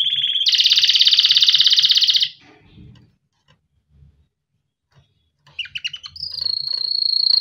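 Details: Canary song used for training young birds: a loud, fast buzzy trill running about two seconds, a near-silent pause, then clipped chirps that settle into a sustained high whistled roll.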